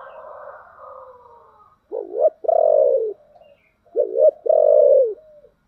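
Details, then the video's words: Decoy spotted dove with a deep, thick "giọng thổ" voice calling to draw in wild doves. Two low cooing phrases are about two seconds apart, each a short dipping note followed by a longer, full, slowly falling coo. "cu gáy giọng thổ đặc/ tieng cu gay kich boi nhanh noi"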